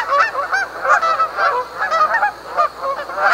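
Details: Canada geese honk in quick succession, giving loud, nasal, two-part calls that rise and fall, with brief gaps between them.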